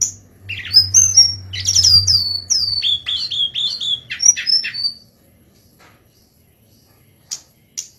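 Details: A golden-bellied gerygone sings a thin, high, sweet run of wavering whistles sliding downward over about four seconds, then a pause and two faint ticks.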